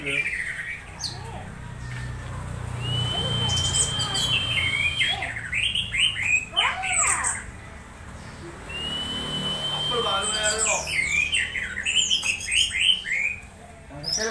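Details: Orange-headed thrush in a strange-sounding state while being conditioned, used as a lure to stimulate other orange-headed thrushes to sing: varied chattering and squeaky notes, two long flat whistles, and dense overlapping trills.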